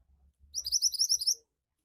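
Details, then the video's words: Energetic 'gacor' song of a Javan white-eye, meant to get birds singing quickly: soft low murmurs, then close to a second of rapid, shrill, rising chirps repeated in a tight series. "Burung Mantenan Gacor Cepat Bikin Burung Mantenan bahan cepat ngoceh"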